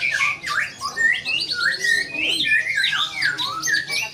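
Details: White-rumped shama in a wild display, giving loud slurred whistles and squawky notes in quick bursts, with rising and falling phrases.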